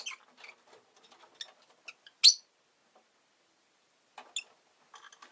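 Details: Rosy-faced lovebird kept at home, mostly quiet scratchy twitters with one sudden piercing chirp mid-way and a few sharper notes near the end.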